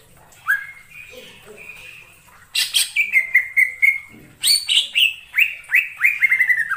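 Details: Wild forest greater green leafbird: quiet whistles, then energetic chattering, a row of short level whistled notes, and a rapid series of descending slurred whistles.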